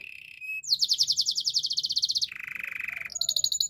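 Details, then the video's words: Belgian canary delivering a very fast high pulsed trill for over a second, dropping abruptly to a lower buzzy trill, then lifting back to a high rattle. "Belgian Canary Song"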